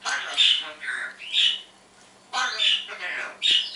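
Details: Indoor pet parrot in the morning saying words: two groups of harsh, voice-like syllables, about three each, separated by a pause of nearly a second.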